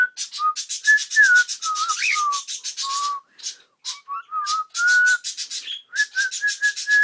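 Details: Cockatiel whistling a practised melody, "Kotori no Uta", in smooth sliding notes, while a fast rhythmic scratching or rubbing noise runs underneath for most of the phrase.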